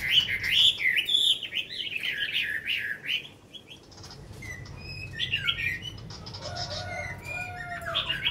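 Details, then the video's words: Tame, long-caged Chinese hwamei delivering a rich, rapid burst of loud varied whistles and trills, then a quieter stretch of scattered slurred notes and soft warbles, with fluttering wing sounds and low room noise. "Họa Mi cb9016 hơn năm lồng hót hay"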